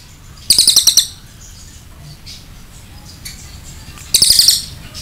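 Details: Cililin singing a long 'nembak' song kept for training other birds: two bursts of rapid, very high, dense chattering trills about three and a half seconds apart, with faint twitters between and quiet background hiss.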